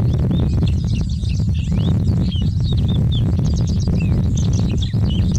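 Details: Tawny (Sykes's) lark singing in India: a run of short, high, sweet chirped and slurred notes strung closely together throughout, half buried under a heavy, constant low rumble of wind or traffic.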